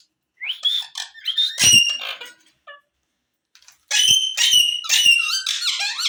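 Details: Indian green rose-ringed parakeet, a talking pet bird, chattering in rapid shrill squawks and speech-like babble, a loud run of notes, a brief pause, then a denser stretch of screechy, rising and falling calls.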